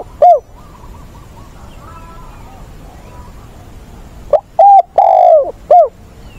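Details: Caged decoy spotted dove, giọng bổi ức chế style, used for training newly caught doves, recorded 20/8: one short coo, then faint distant chirps, then a phrase of quick notes, a long mellow falling coo and a hooked ending.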